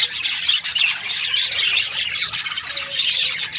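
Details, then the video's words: A flock of budgies in breeding season chattering and chirping, bright squeaky warbles and short sharp notes overlapping continuously. "Lovely budgies chirping sound parakeets breeding season"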